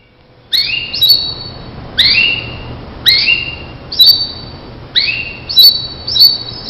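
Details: Starblue canary tutor recording for training other canaries: short high whistles sweeping upward, with layered notes above, repeated roughly once a second with brief gaps.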